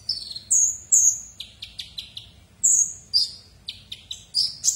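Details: Kolibri ninja sunbird in full song as a tutor for white-rumped shamas and oriental magpie-robins: piercing high whistled notes alternating with lower rapid chips, delivered in irregular phrases with brief gaps between them.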